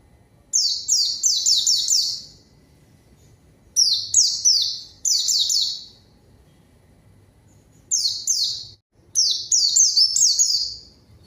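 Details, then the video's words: Lure recording of white-eye song for calling a rival and starting silent birds singing: short runs of rapid high downslurred chirps, delivered in separate bursts with gaps of a second or more. "PANCINGAN PLECI GACOR MANGGIL LAWAN COCOK UNTUK PLECI DIAM AGAR CEPAT BUNYI DAN GACOR"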